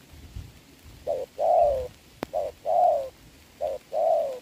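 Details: In rain during a trapping bout, 26 November 2022, a Spotted dove gives three two-note coos, a short hoot then a longer descending one, with one sharp click between them.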